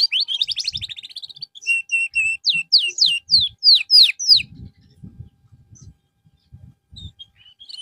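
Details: Canary singing during therapy after losing form. A fast rolling trill opens, then a row of steady mid-pitched whistles, then sharply descending slurred notes repeated about twice a second before fading to faint knocks.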